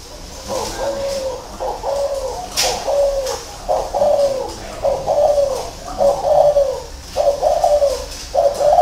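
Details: Spotted dove, a kept bird in Vietnam, cooing indoors: mellow, slightly falling coos in short phrases, repeated roughly once a second across the recording, with a faint room echo.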